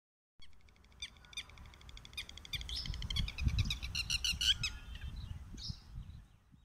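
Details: Red-wattled lapwing during mating, giving sharp, piercing, metallic notes in quick, uneven bursts of two to three calls a second, over low wind rumble.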